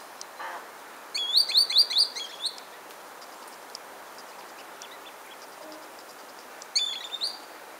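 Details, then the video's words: Spring song of a green sandpiper, recorded 24 January 2015: a quick series of four or five sharp, rising whistled notes, then a pause and a shorter repeat of the same ringing phrase, over a quiet hiss. "Fluierari de zavoi, cantec, Tringa ochropus, song, Green Sandpiper"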